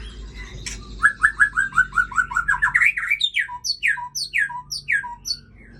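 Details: Aceh white-rumped shama, a breeding female, pouring out a rapid trill of about fifteen even notes that quickens and rises, then slower paired notes alternating high downslurs with low short whistles.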